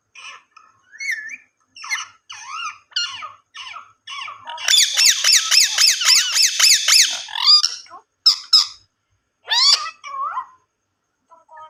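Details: Ringneck parrot talking: a string of short squeaky whistled syllables, then a fast rapid trill of repeated notes for about three seconds, followed by more scattered shrill squeaks and falling whistles.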